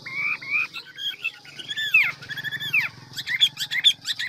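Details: Quieter passage from a many-voiced ngũ trường Hwamei: long descending slurred whistles and short chirps, with a steady low hum behind.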